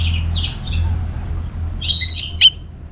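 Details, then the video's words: Orange-headed thrush singing to prompt other birds into song. A few soft, slurred high notes open the phrase, then a bright, loud whistled burst and one sharp note follow over a steady low hum. "ANIS MERAH Gacor Untuk Memancing Burung Jadi NGeplong Bahkan Teler"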